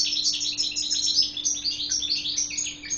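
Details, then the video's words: European goldfinch, Guelma Badri style, pouring out continuous fast, jangling twitters and liquid trills for the whole stretch, with a steady electrical hum beneath. "حسون بدري قالمة"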